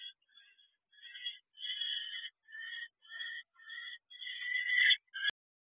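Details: Barn owl at a nest box, recorded at 4:20 am on 19 January 2024: a run of harsh, raspy call bursts in short phrases, the last rising in intensity, ending with a sharp click.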